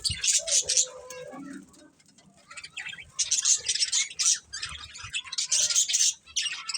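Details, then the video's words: Colourful budgies chatter in quick, scratchy chirps and squawky notes, then fall almost silent for about a second before bursting back into rapid, overlapping high twitters. "Colourful Budgies Chirping Sounds"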